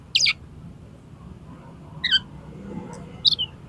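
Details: Oriental magpie-robin singing in the 'konslet' style, used to prompt another magpie-robin to open its tail: three short, high, sharply sweeping whistled notes spaced over a few seconds against a low background hum.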